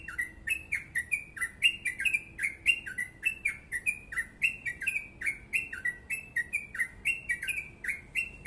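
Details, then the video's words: Fast, close-packed yellow-vented bulbul song in the ropel panjang gacor style: lively sequence of bright slurred notes alternating in pitch, evenly paced with sharp high clicks, a faint steady tone behind. "Crucukan ropel panjang gacor sped rapat"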